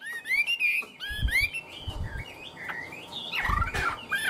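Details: Tame caged Chinese hwamei singing high on its perch, a style called 'cao cầu': loud varied whistled phrases, some slurred and rising, others falling, with short gaps, plus soft low thumps from handling or the cage.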